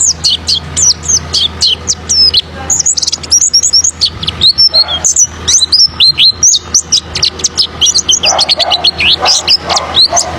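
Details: Oriental white-eye (pleci) lure song to provoke other birds: continuous fast stream of thin, high, sweeping chirps and tweets, densely packed and energetic, over a faint low hum.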